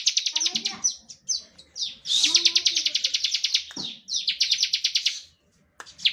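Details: Bar-winged prinia song used to provoke other birds: nearly continuous fast chipping trills with one louder, harsher burst near the middle, then a short pause and a final note.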